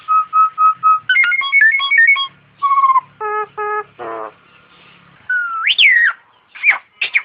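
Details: Masteran recording of a Nias hill myna: five evenly spaced whistled notes, a quick run of bright chips, stacked nasal notes, a buzzy grating burst, then a steep rising-falling whistle and sharp short calls.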